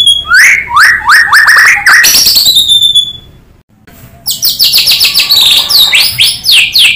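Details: Singing white-rumped shama, played to prompt other shamas to sing: rising whistled slurs, then high trilled phrases and a long thin whistle, a short pause, then rapid looping high notes resuming.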